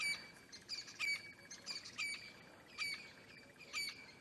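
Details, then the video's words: Francolin calling in the distance at sunrise, 24 October 2016, on a hot pre-rain morning on a game drive in the African bush: harsh, ringing, high-pitched calls repeated roughly once a second in an uneven series, over faint outdoor background. "You can hear the francolin shouting in the distance as well."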